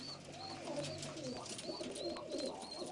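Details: Istanbul pigeons with hazel or red eyes cooing: low, throaty rolling coos run through the whole stretch, while a thin high chirp repeats roughly every half second above them.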